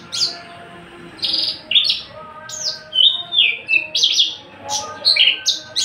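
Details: Tame captive Javan bush lark, an unringed male ready to breed and singing freely, delivers varied, scratchy, buzzing bursts mixed with sliding whistles in a busy, jumbled flow.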